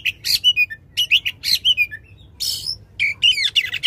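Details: Oriental magpie-robin in loud, vigorous song with long shot phrases, played to make a silent magpie-robin sing. Quick high chirps and slurred whistles come in short clusters, broken by a scratchy rasp.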